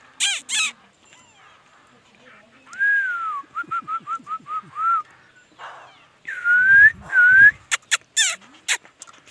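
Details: Laughingthrush singing: clear whistled phrases, a falling slurred note followed by a quick run of short, evenly spaced whistles, then two loud rising whistles. Sharp clicks and harsh bursts are heard before and after.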